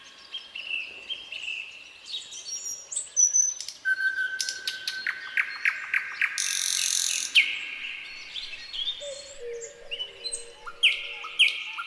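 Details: Through a midsummer night a nightingale sings a long varied phrase. Whistles are followed by a steady note and a quick run of clicks, then a dense rasp, rising whistles, and low drawn-out tones.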